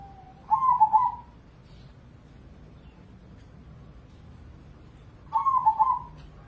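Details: Captive zebra dove, a crossbred competition songbird from Indonesia, performing its cooing song: two loud burbling phrases around one second each, trilled and slightly wavering, separated by a quiet gap of about four seconds over low background hum.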